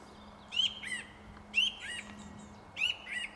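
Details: Song thrush singing in a tree: a short phrase of high, clear whistled notes with a downslurred ending, sung three times at roughly one-second intervals, with a faint low steady hum underneath.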